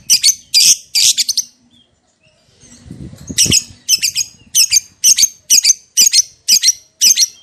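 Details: Lovebird giving its long ngekek chatter, used as a lure to make other lovebirds respond: harsh, buzzy shrieks in quick bursts, a brief gap with low rustling, then a steady series of rasping notes about two per second.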